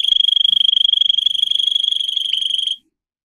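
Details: Russian canary bred for singing, song for training canaries: a rapid high rolling trill of fast pulses that runs for nearly three seconds and then stops abruptly into silence.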